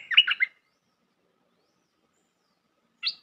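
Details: Bulbul sound played as a trapping lure: a short burst of warbling, bubbly notes, then silence, then one brief higher chirp near the end.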